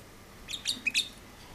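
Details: Hybrid canary, said to be a red-bronze canary perhaps crossed with a Mexican red sparrow, uttering three sharp, high tweets in quick succession within under a second, against a quiet hissy background.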